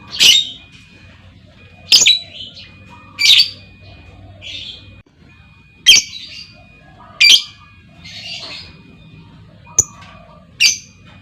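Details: Female lovebird calling to draw long trills from other lovebirds: harsh, high squawking chirps repeated roughly every one to two seconds, some followed by short buzzy notes, with a faint steady tone and low hum behind.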